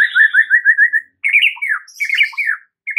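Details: White-rumped shama master song for prompting a response from other shamas: a fast run of about ten slurred whistled notes, then loud, varied, swooping phrases broken by short pauses, with faint high chips above.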